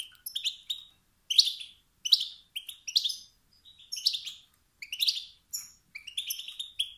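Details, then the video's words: Male wild European goldfinch producing 'sts-sts' and 'bt-bt' calls meant to provoke rival males into singing. Liquid, twittering phrases come roughly every second, mixing sharp high ticks with rolling chirps. "ستستات و بتبتات ذكر الحسون الخلوي التي توقد النار في الذكور الاخرى"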